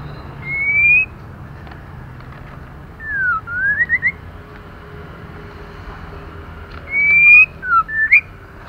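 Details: Female white-rumped shama calling to stimulate males into singing: clear high whistles, a long rising note, then sweeping down-up slurs, repeated in three bursts separated by pauses, over a quiet background hum.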